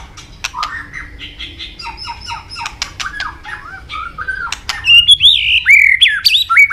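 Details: White-rumped shama (murai batu) in vigorous gacor song full of isian mimicry, used as a lure to make other shamas sing; soft varied whistles and clicks build to loud slurred rising and falling whistles near the end.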